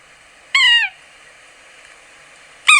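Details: Yellow-bellied sapsucker, a woodpecker of northern forests, giving a nasal, mewing downslurred squeal lasting under half a second, then another after a two-second pause.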